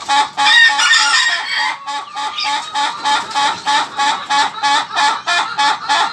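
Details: Ayam ketawa crow opening with a louder drawn-out harsh note, then breaking into about fourteen quick, evenly spaced laughing syllables that fade slightly toward the end.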